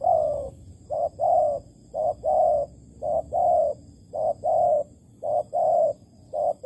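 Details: Malaysian spotted dove at a bait trap on 11.08.2020, cooing loudly and steadily: short clipped note followed by a longer rounded coo, the pair repeated over and over at an even pace.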